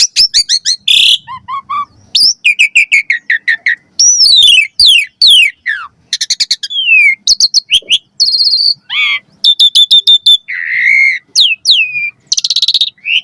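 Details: Asian pied starling, a master recording for training caged birds to sing constantly with varied fill phrases: loud, rapid mix of sharp chirp bursts, clear rising and falling whistles and buzzy notes, in quick series with short gaps.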